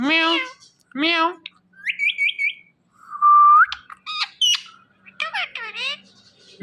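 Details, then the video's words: Indian ringneck parrot, kept as a pet, talking and saying "Mithu": nasal harmonic syllables, short bright chirps, a long rising whistle and squawky bursts follow one another in a busy, varied string. "Indian Ringneck Parrot Saying Mithu Mithu"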